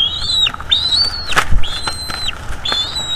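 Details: Bald eagle eaglet in a North East Florida nest calling while its mother feeds it squirrel: high, level whistled cries ending in downward slurs, interrupted by sharp rustling and tearing sounds of feeding.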